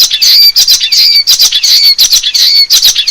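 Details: Wild common waxbill singing in forest; loud, harsh, buzzy high notes in rapid bursts, with a thin whistled overtone, repeated about every half second without pause.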